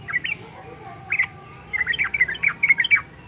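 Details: A sooty-headed bulbul sings quick bubbly phrases of short liquid notes: a brief burst, a pause, then a longer run of rapid chirps.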